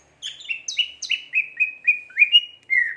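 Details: Greater green leafbird singing energetically (gacor): a quick series of about ten clear, slightly falling whistled chirps in a steady rhythm, ending with a longer downslurred note, in quiet surroundings.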